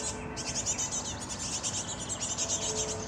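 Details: Fledgling great tits (Parus major) being fed by adults, giving a continuous run of shrill, hissing, rapidly pulsed high notes, with a constant low droning hum in the background.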